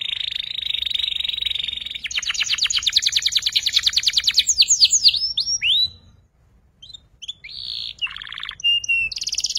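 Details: Young canary in the ngeriwik learning stage: an even trill shifts into a loud rapid rattling series, then varied sweeping whistles and short buzzy phrases after a brief pause.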